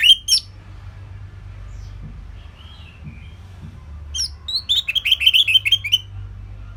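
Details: Orange-headed thrush, a training song for songbirds: a brief opening call, a quiet stretch, then a fast chattering run of high, clipped repeated notes.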